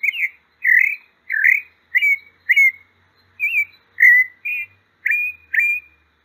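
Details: Brazilian pale-breasted thrush song: ten brief, slurred, fluty whistles delivered at a steady pace of roughly two per second, each note shaped a little differently, against a quiet background.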